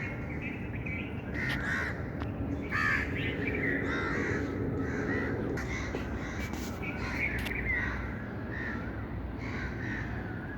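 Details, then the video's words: Busy outdoor bird chorus of repeated harsh calls and short whistles, roughly three per second, irregular and overlapping, with a few sharp clicks and persistent low background rumble. "birds chirping sound"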